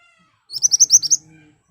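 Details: Ashy tailorbird singing vigorously in sharp bursts, used as a lure to make other birds answer: a quick run of about seven sharp, high chipping notes over less than a second, with faint low hum behind.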